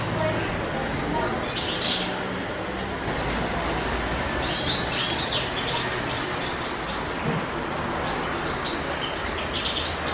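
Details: Male European goldfinch singing in spring, in love: quick, high twittering phrases and sharp chirps in clusters throughout, over a faint steady low hum.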